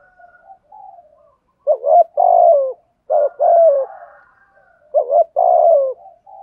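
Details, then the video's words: Spotted dove calling to draw in wild doves, giving three loud coo phrases about 1.5 seconds apart. Each is a short wavering double note and then a long, steady, slightly falling coo, with soft cooing between. "Tiếng chim cu gáy kích bổi nhanh nổi. thúc gù, gáy gọi"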